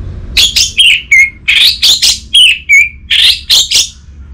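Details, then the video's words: Lure song of the orange-headed thrush for prompting a quiet bird to sing: a run of loud, clipped high whistles, several ending in a steady level note, delivered in quick succession over soft low hum. "Burung ANIS MERAH Macetan Terpancing Gacor Didengarkan Kicauan Ini"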